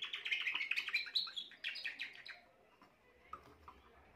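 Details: Young Spanish Timbrado canary hatched this year, recorded 14 June 2023, singing soft rolling metallic trills densely for about two seconds before thinning to scattered quiet notes.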